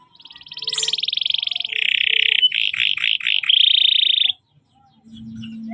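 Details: Canary song from a training (masteran) recording labelled kenari paud: a fast buzzy trill, then a lower rolling trill broken by quick rising-falling notes, ending in another sustained rapid trill before it stops.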